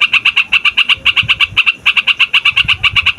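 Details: Trucukan (sooty-headed bulbul) singing noisily as a trapping lure and tutor for young males and females: rapid, evenly spaced chirping notes pouring out nearly two per quarter second, bright and repetitive, with faint low rumble beneath.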